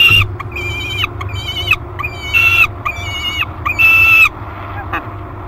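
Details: Thirty-day-old peregrine falcon nestling in a nest box at Great Spirit Bluff, calling a lot on 1 July 2021: loud, harsh, drawn-out wailing cries, each about half a second, repeated in a run of five with short gaps, over low background hum.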